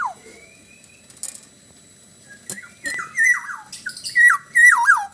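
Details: Bali-style song of a lively black-naped oriole. A long quiet start holds a single thin whistle, then bright downslurred fluty phrases build in loud repeated bursts toward the end.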